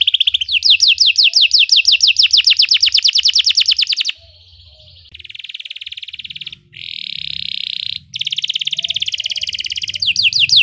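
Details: Belgian canary song for teaching canaries to sing: a fast rolling trill of falling notes, softer buzzy passages, a louder harsh roll, and a fresh rapid trill at the end.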